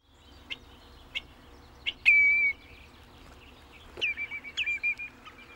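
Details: Common redshank: a few soft clicks, then a single clear downslurred whistle, followed a couple of seconds later by a short run of three or four piping, descending notes.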